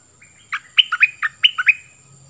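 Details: Decoy cream-vented bulbul giving a lively burst of song, six or seven bright chirping notes that dip and rise, grouped in quick pairs over about a second, against a quiet background with a faint high tone.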